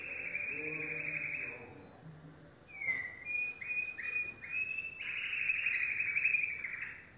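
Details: Yellow domestic canary singing: a long rolling trill held steady, then a series of short rising notes and another extended buzzy roll, against a hissy background.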